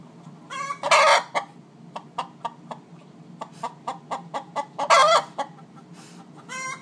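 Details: Hens singing the egg-laying song because the nest boxes are taken: evenly spaced clucks punctuated by three loud, harsh, drawn-out squawks.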